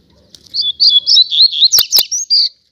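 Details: A Double-collared seedeater, part of a pair kept outdoors on a street, sings a rapid series of high, slurred, whistled-buzzy notes, interrupted by two sharp clicks.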